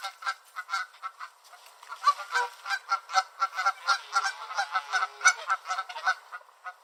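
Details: Several Canada geese on a beach in Southern Ontario, Canada, honking loudly at and chasing each other: a harsh, nasal, overlapping chorus of about four honks a second.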